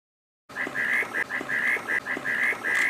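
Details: Reed parrotbill (Paradoxornis heudei) giving a quick run of about eight nasal, slightly buzzy notes, roughly three per second and evenly pitched, with faint clicks in the background.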